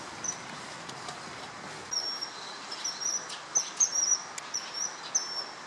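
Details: A male common kingfisher on the Tama River, 21 March 2013, gives a burst of thin, very high, shrill whistled notes in quick succession over a steady background hiss.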